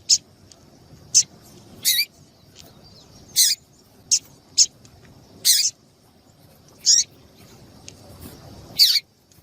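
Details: Female double-collared seedeater calling to excite a male, giving brief piercing high chips at uneven intervals, some single and some paired, with a thin continuous high tone in the background.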